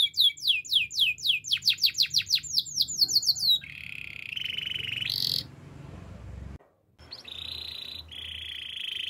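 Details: Canary singing for training: quick repeated descending whistled notes, about two per second, then long buzzy rolled trills and steady whistled tours, with a short silent gap and faint low background hum.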